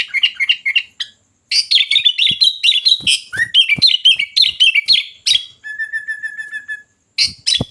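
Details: Sooty-headed bulbul in full, loud song: dense rapid chirps and warbled phrases, then a steady sustained whistle near the end before more sharp notes. Scattered clicks are heard.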